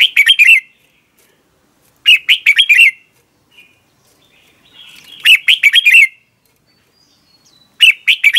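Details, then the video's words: Red-whiskered bulbul morning song used as training and lure sound for other bulbuls. Four clear phrases of fast, chirpy, warbling notes come every two to three seconds over a quiet background. "Luyện chào mào hót sáng"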